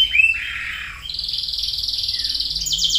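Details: Canary song opening with a clear rising whistle and warbled note, then a steady fast trill held evenly, ending in a higher buzzy phrase.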